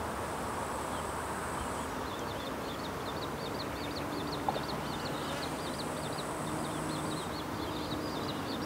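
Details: Little grebe, an adult with two chicks it feeds fish, calling: a steady series of thin, high chirps, four or five a second, a short call that carries far; faint high whine and constant low traffic rumble.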